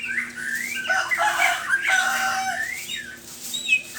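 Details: ['Morning song from a white-rumped shama: loud, rich phrases mixing long upward slides, harsher rasping notes and clear whistles, dense in the middle before easing into thinner high notes.']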